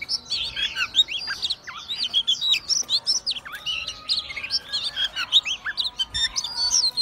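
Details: Oriental magpie-robin in full song while spreading its tail and swaying: a nonstop, rich, fast jumble of clear whistles, sharp chips and scratchy notes in quick, varied phrases.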